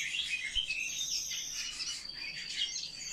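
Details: Eurasian blackcap singing a fast, dense warble of high twittering notes with quick rising and falling phrases, set among a busy chorus of other chirping birds.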